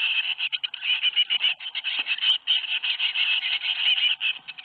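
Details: Seven young tits fledging from a nest box in Théding on 21 May 2019: a near-continuous, chattering stream of shrill, buzzy chirps, overlapping and steady throughout with hardly a gap.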